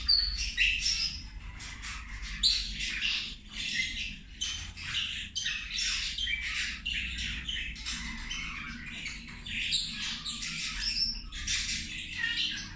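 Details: Several zebra finches feeding at lunchtime, a steady stream of nasal, trumpeting chirps overlapping in busy bursts that rise and fall every second or so, over a low background hum.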